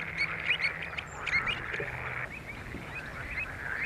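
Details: Pied avocet recorded in June 2015 at Skanör and Falsterbo, Sweden. Bursts of sharp, high piping notes, several in quick succession, then softer scattered calls over a steady hiss.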